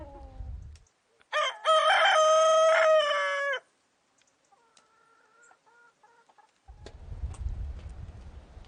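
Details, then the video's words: A loud rooster crow of about two seconds with a brief stutter in the middle, followed by soft short clucking notes. Rustling noise comes before and after. "Rooster Crowing"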